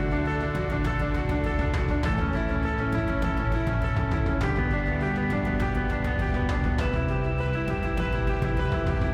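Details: Loud instrumental music with steady beats and sustained tones plays throughout, with no animal audible.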